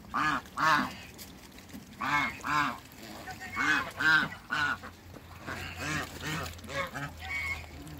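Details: A pair of Muscovy ducks in a backyard give short, nasal, honking calls, about a dozen in uneven bursts of one or two, with a faint low hum behind.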